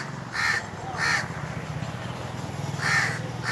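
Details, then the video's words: An Indian crow on top of a tree on a very hot summer day gives three harsh, hoarse caws, two close together and a third after a pause, over a steady low hum. "Indian Crows cawing"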